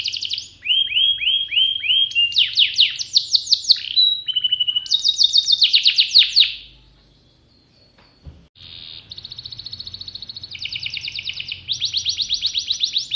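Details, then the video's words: Caged pocong canary, kept as a collection bird and described as gacor, delivers long bursts of rapid high trills, buzzy rattles and short whistled notes, pausing briefly near the middle before resuming with steady fast trilled phrases. "Kenari pocong gacor gela gelo"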